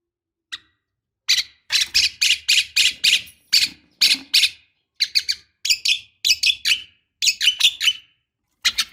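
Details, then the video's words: Black-winged starling, a female calling to males, used as a lure for young birds: a series of harsh, noisy squawking notes, broadband and repeated in quick bursts about every third of a second, with short pauses between groups. "Suara Khas Jalak Kebo Untuk Pancingan Jalak Kebo Muda"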